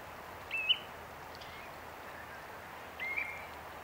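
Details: Common ringed plover giving two short, soft rising piping notes about two and a half seconds apart over steady background hiss.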